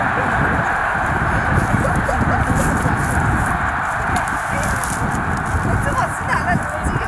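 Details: About 90,000 snow geese take off from a field at Middle Creek Wildlife Management Area, Pennsylvania, on 22 February: a dense, unbroken clamor of nasal honking over a low roar of wingbeats and wind.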